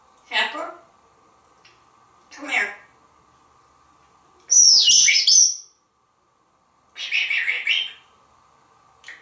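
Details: Pet African grey parrot, hatched in 1997 and living in a home in Texas, chattering energetically: short speech-like bursts, a loud harsh squawk in the middle, then more raspy syllables over a steady indoor hum.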